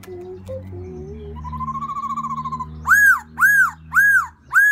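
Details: Black-throated laughingthrush in spring, calling out for a new mate: soft low hoots and a wavering hum-like whistle, then four loud arched, ringing notes evenly spaced.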